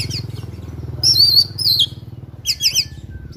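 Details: Oriental magpie-robin in a fighting mood giving fill-rich song. Loud wavering high whistles slur downward, then a pair of rolling looped warbles, over a steady low droning background.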